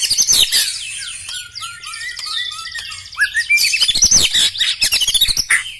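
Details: White-rumped shama with black legs singing loudly: varied harsh chatters, short whistled notes and rapid high rattling trills, with sharp clicking bursts.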